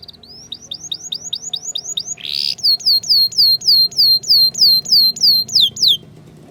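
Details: Ngriwik-style canary song used to tutor young canaries: a clear series of downslurred whistled notes, about three per second. A brief harsh burst interrupts early on, then the series continues steadily.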